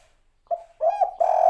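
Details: Spotted dove, locally tekukur, singing the 'kuk 3' style: a brief soft note, then a warbled double coo and a long sustained hollow coo, mid-pitched and mellow against silence.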